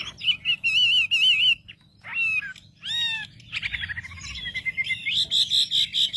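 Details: Wambi used as a lure to anger other wambi: trilled wavering whistles, then two downward-sliding calls, followed by a rising rapid series of notes ending in high ringing trills; a low hum underneath.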